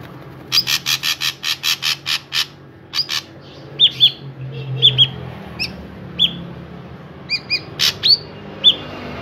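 A drongo sings: a fast run of harsh, scratchy chips, then loud, clear whistled notes with sharp metallic edges, spaced about a second apart.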